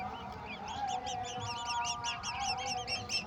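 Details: Golden oriole feeding a mantis to its babies; rapid high arched chirps repeat densely, several per second, over a steady low humming drone.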